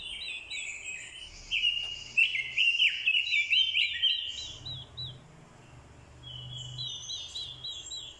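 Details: Decoy orange-headed thrush stirred into fighting song by a female's call: a loud run of tumbling, slurred whistles for nearly three seconds, then a softer stretch of thin, wavering high notes and faint background murmur.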